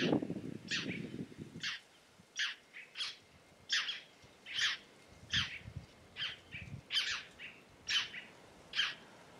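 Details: Singing red-necked tanager, called Tiê-caburé or Maria Preta, in Brazil's Caatinga: clean, sharp high notes repeated evenly about once per second, after a brief burst of low rumble at the start.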